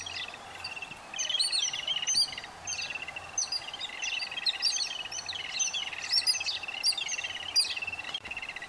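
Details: Yellow-billed Babblers feeding their chicks, the young keeping up constant grating, chattering begging calls in rapid overlapping series, buzzy and high-pitched, barely pausing throughout, over a low background hum.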